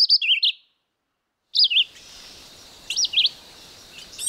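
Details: Red-eyed vireo song: three short, clear, slurred whistled phrases, each wavering up and down, spaced about one and a half seconds apart over faint background hiss.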